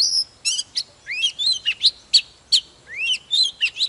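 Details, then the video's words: Mature wild-caught Oriental magpie-robin singing while displaying: a fast run of sweet whistled notes, upslurs and sharp downward sweeps, mostly high-pitched and delivered in quick bursts about every quarter second with brief pauses between. "Chòe than Già rừng hót múa CỰC ĐỈNH"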